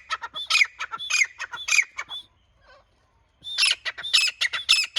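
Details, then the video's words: Grey francolin giving loud, harsh, shrill notes in a rapid series, pausing for about a second before bursting back into the same grating, repeated squawks. "Grey teetar bird"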